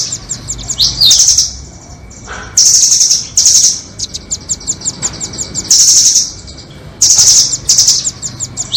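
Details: Lure recording of rambatan doraemon and red-billed rambatan nuthatches for bird trapping: shrill rapid trills in half-second bursts, separated by quick ticking chip runs and a brief falling whistle early on.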